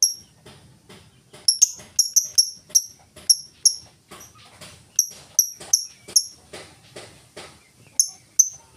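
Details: Ticking ngetik song of a lovebird, played to draw other lovebirds into song: bright, sharp clicks coming in quick clusters and short runs, with a few quiet gaps between bursts.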